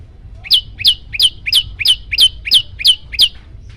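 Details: Yellow-bellied prinia, recorded as training material to agitate other birds that hear it: nine quick two-part chirps, a high slurred note then a lower one, repeated about three times per second before falling silent.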